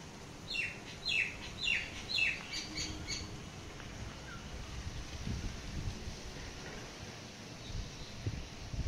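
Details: A common myna perched on a coconut tree gives a run of harsh, squawking notes about twice a second for three seconds, then falls quiet over low outdoor rumble.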